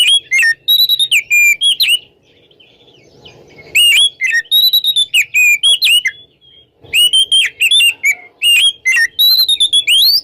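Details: Oriental magpie-robin in ngeplong song during the morning, meant to spark magpie-robins that have stopped singing: long rapid runs of loud whistles, upslurs and warbled notes, in three bursts separated by brief quieter gaps with faint hum.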